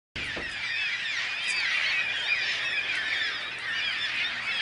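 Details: An unusually large flock of yellow-tailed black cockatoos flying over a backyard keeps up a dense, harsh chorus of overlapping rasping calls with no pause for the whole stretch.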